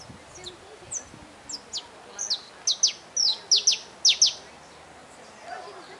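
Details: A wild Saffron finch sings in nature: a series of sharp, high, downward-slurred chirps that grow louder and come in quick pairs toward the middle. Faint background noise is heard.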